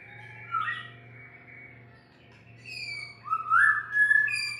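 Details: White-rumped shama, recorded unedited: two clear whistled phrases, a slurred falling note near the start and a rising, warbling phrase toward the end with a high thin overtone, over a steady low electrical hum.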